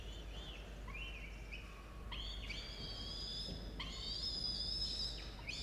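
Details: Drawn-out, rasping wails from a falcon nest with two chicks aged 17 and 13 days, recorded at 06:02 on 27 October 2022: short rising-falling notes give way to long, steady, strained calls, with a continuous low hum underneath.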